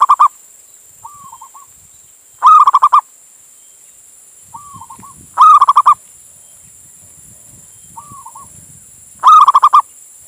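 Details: Male zebra dove of a local Indonesian strain calling to a female, used to lure other doves into calling. Rapid rolling coo bursts come roughly every three seconds, alternating with quieter short warbled phrases, over constant high-pitched hiss.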